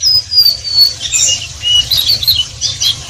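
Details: Oriental white-eye (pleci) giving ngeriwik song: a few drawn-out thin, high whistles sliding downward, then softer scattered chirps and slurred notes, fairly sparse, with a steady low hum behind.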